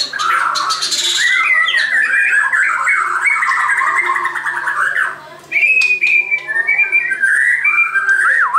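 A white-crowned shama sings a rich, continuous run of warbled and whistled phrases, with a brief pause before a clear rising whistle and more varied notes.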